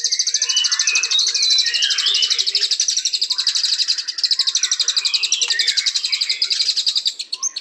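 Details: Nonstop white-rumped shama song of sustained, very fast high-pitched chattering trills, with softer lower warbled notes woven underneath throughout.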